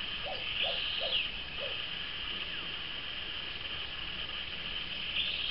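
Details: Moustached turcas, a pair apparently in courtship, give four short low hooting notes in the first two seconds, spaced about a third of a second apart, over a steady high insect drone.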